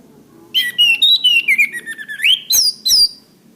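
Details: Master recording of orange-headed thrush song, made for training cage birds: a fluent run of clear whistled phrases, some level and some sliding, ending in two sharp descending notes.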